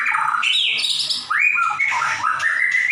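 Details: A white-rumped shama sings 'gacor nembak': a downslurred whistle, then a strong rising sweep, followed by a fast mix of whistles and harsh chatter.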